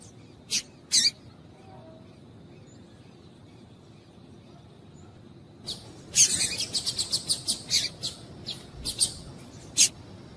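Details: Calls of a female double-collared seedeater used to get males singing: two sharp chips, a long pause, then a rapid stuttering burst of about a dozen high, dry chips with uneven spacing.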